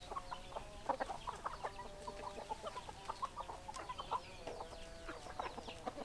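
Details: Hens clucking together in a steady stream of short, nasal, tonal clucks and drawn-out croons, overlapping calls repeated several times a second throughout.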